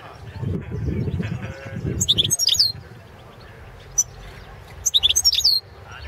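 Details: Balkan goldfinch, carduelis balcanica, in a competition recording for a Serbian-run world song championship: two short, high, chattering twitter phrases about three seconds apart, with a lone sharp note between and a low murmur early on.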